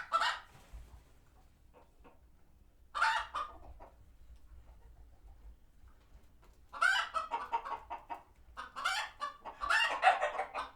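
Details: Chickens on a farm sanctuary reacting to a passing hawk: isolated loud squawks at first, separated by quiet, then a denser run of raucous cackling in the final seconds.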